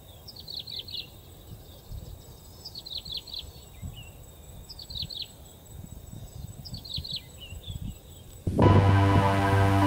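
A skylark gives short, high chirruping bursts of quick falling notes, about every two seconds, over low wind rumble; music cuts in at the end.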